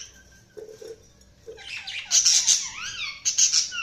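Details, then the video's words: Budgie chirping begins with soft low peeps, then breaks into loud, rapid, warbling chatter with high squeaky notes and swooping whistled slides that continues to the end. "Budgies Sounds| Budgies Chirping sound"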